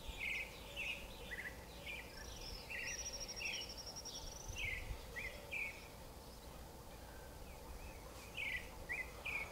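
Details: A creamy-bellied thrush (Turdus amaurochalinus) of South America sings a loose series of short, chirpy mid-pitched notes with a few thin, higher slurs, over a soft background hiss.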